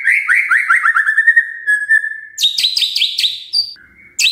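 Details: Magpie-robin lure song: a run of about ten quick upswept whistles, then a higher rapid trill of repeated notes and a short thin whistle.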